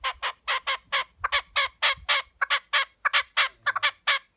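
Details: A wild red-legged partridge (Alectoris rufa) visiting a farm's chicken enclosure, where it often talks to people, gives harsh, rasping chuck notes, about four a second, in a steady chuffing run over faint low background noise.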